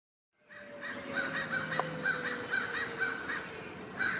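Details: Crows in a forest mobbing a great horned owl, calling noisily and flying close to it; a rapid series of harsh, repeated caws overlapping one another, with a steady faint tone running underneath.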